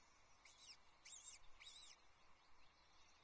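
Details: Osprey pair at the Loch Arkaig nest on 22 May 2024, the female guarding a newly hatched chick, caught by a nest camera: three faint, high, down-curving whistled notes, each about a quarter second, with steady hiss behind.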